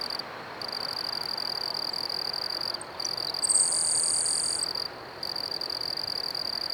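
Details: Grasshopper Sparrow perched on a cannon at Manassas National Battlefield Park singing: a few faint, high ticking notes, then a thin, hissing, insect-like buzz lasting about a second, over a steady high cricket trill.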